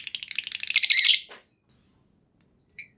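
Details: Lovebird giving the long ngekek trill used to get other lovebirds singing. A rapid, rasping high chatter lasts just over a second and fades, followed by a few short, thin chirps.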